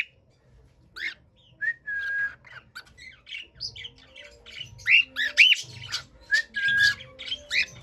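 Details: Cockatiel singing to cheer other cockatiels: a run of short whistled chirps and squawky notes, several rising and falling whistles near the middle, with low background rumble.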